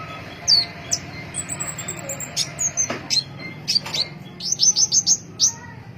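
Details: Crimson-breasted flowerpecker in lively song: scattered high, thin whistled notes, then a quick run of five similar slurred notes near the end, with steady background hiss.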